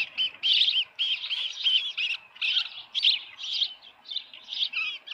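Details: Osprey at the Dunrovin Ranch nest, evening of 10 June 2018, headless fish present: a fast, steady series of piercing, slightly downslurred chirps, about four per second, fading toward the end.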